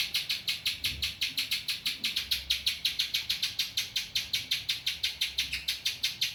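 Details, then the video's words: Rapid, bright chipping from a spiderhunter whose song includes ciblek phrases, notes evenly spaced at around six per second and continuing steadily, faint low noise underneath. "burung pinjantung isian ciblek"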